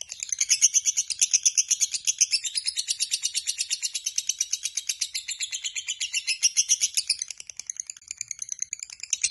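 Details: Lovebird Biola's long ngekek, heard day and night, as nine seconds of nonstop buzzy high chatter pulsed almost three times a second, fading slightly at the end.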